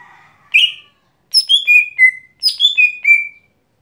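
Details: Lesser green leafbird, called gotri locally, giving its daily song: clean whistled phrases stepping down from high to lower notes in quick series, two bursts separated by short pauses.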